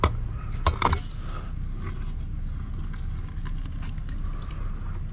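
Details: Low mechanical rumble with a few sharp knocks and clanks near the start, and no animal calls.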